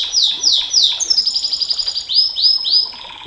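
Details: Canary in long-burst song: a series of high, fast downward sweeps, then a steady buzzy trill, then repeated rising upslurred notes, all high-pitched and bright.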